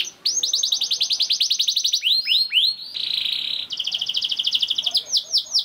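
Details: Young canary singing to stimulate other canaries: a long, rapid trill of repeated high notes, a few downslurred whistles, a brief buzzy steady tone, another fast trill, then more falling sweeps.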